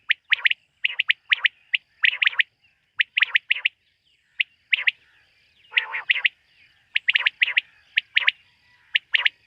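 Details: Quail calling by night with a busy series of sharp, clicking notes in quick pairs and triplets, one short raspy burst in the middle, steady rhythm throughout.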